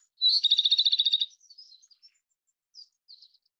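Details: Japanese robin singing: a loud, rapid, even trill of about a dozen notes lasting roughly one second, followed by soft scattered high twitters and two brief faint phrases near the end.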